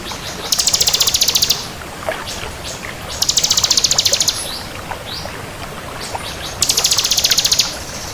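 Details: Vigorous song of a crystal bar-winged prinia: three long, buzzy, very high trills of rapid pulses, each about a second, with quieter ticks between them.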